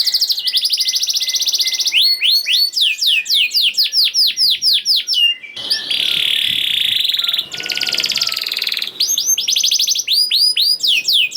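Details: Canary song meant to trigger singing in quiet canaries: fast trills and swooping whistled phrases, broken midway by a harsher rolling buzz with some background noise.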